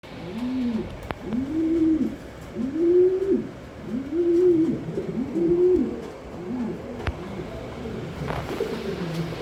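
Pigeons coo in low, soft, arched notes, repeated in a loose, overlapping rhythm.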